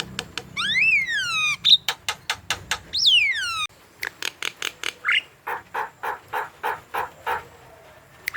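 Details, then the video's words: Javan myna in lively voice, used to encourage young or silent birds to call: two loud whistles rising then falling, interspersed with dry clicks, then a steady series of harsh, nasal rasping notes about twice a second. "PANCINGAN JALAK KEBO MALAS BUNYI Jalak kebo gacor"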